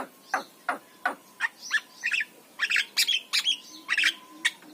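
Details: Javan myna singing in a master recording used to coax reluctant mynas to sing, giving harsh, scratchy broadband notes of varied shape in quick irregular succession, with a faint steady hum behind.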